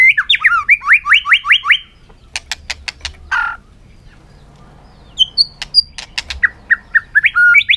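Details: White-rumped shama singing in a contest in the afternoon sun: a fast run of repeated rising whistled notes, a pause with sharp clicks and a harsh burst, then loud clear whistles and a rapid series of repeated phrases.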